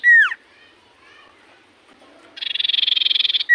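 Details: Common iora in full voice, a song said to make other ioras answer: a loud down-slurred whistle, then a dry buzzy pulsed trill of about twenty rapid beats, and a second whistle starting at the end.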